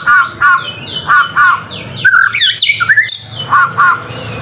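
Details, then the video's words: White-rumped shama, called murai batu, in masteran song: paired mellow whistled notes repeated about once a second, interrupted midway by a burst of rapid high squeaky and descending notes. "MASTERAN MURAI BATU GACOR SUPER JITU"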